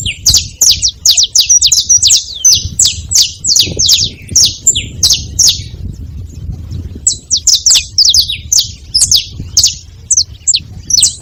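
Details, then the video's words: At a feeding spot, a saffron finch gives runs of bright, high, down-slurred notes. The runs are rapid and irregular, about two or three notes a second, and pause around the middle. Soft low background rumble. "Canário da terra fazendo barulho na seva"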